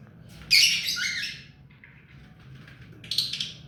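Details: Tame pet ring-necked parakeet lets out one loud, noisy screech, then a quieter pause and a shorter burst of high chattering.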